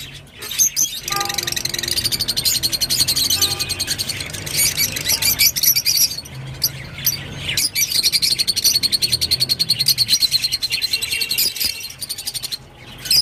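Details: Rosy-faced lovebird song: dense, harsh chattering squeaks and buzzy rasps, nearly continuous, with fast rattling runs near the middle and end, over a low steady hum.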